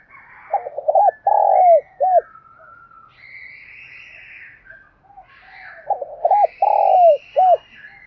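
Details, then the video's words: Spotted dove cooing in the thúc gù style, used to lure wild doves: two phrases of short rising coos that end in a long drawn note and a final clipped coo, with faint higher bird calls between them. "cu gáy thúc gù sung nhất// Tiếng cu gáy cực hay"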